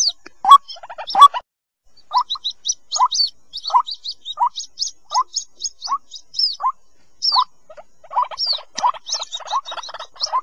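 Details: White-breasted waterhen chick peeps, used as a lure to bring waterhens out of bushes: evenly spaced short squeaks with high whistled upsweeps, turning into a quick chatter near the end.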